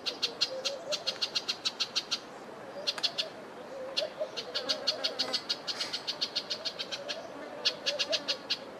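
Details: Amethyst Sunbird in a garden in the Eastern Cape, South Africa, giving a rapid series of sharp, high chipping notes, about five per second in bursts, over a soft low warbling murmur in the background.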